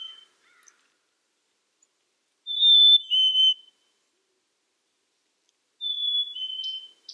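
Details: Black-capped chickadee with two whistled phrases about three seconds apart, each a bright high note stepping down to a lower held tone, with faint soft notes at the start.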